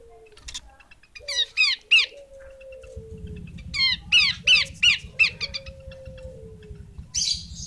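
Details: Female Horsfield's babbler uttering rhythmic groups of harsh, scratchy chatter notes. A low, thin whistle glides slowly downward between them, and a low hum enters halfway through.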